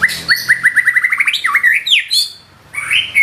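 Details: Murai batu, or white-rumped shama, in gacor nembak singing with isian: a rapid even series of about twelve short repeated whistled notes, then looping slurred whistles and a rising closing phrase after a short pause.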